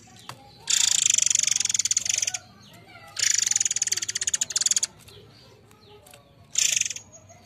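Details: Murai Air song played as a lure for the species: two long, harsh, rapidly pulsed high-pitched bursts, each over a second long, then a shorter final burst.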